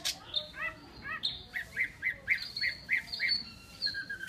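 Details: Chinese hwamei giving a quieter song: a few slurred notes, then a string of short, bright whistled notes repeated at an even pace about twice a second, closing on a sharp high note.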